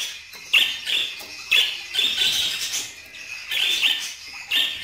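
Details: Budgerigar chattering in scratchy, buzzy high-pitched bursts that start sharply about once a second, with softer twittering filling the gaps between them.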